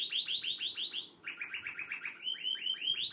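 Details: Canary song: fast trills of repeated notes, one series higher, then a lower series, then rising again, each note sharp and evenly spaced.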